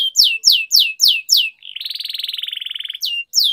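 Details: Canary training song: loud downward-sweeping whistled notes about every quarter second, then a buzzy rolling trill lasting over a second, then the sweeping notes return.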